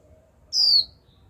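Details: A young captive female white-eye gives a 'chíu' call, kept as a bird meant to stir wild-caught birds into song: one thin, high whistled note sliding downward, lasting about a quarter second, against a quiet background.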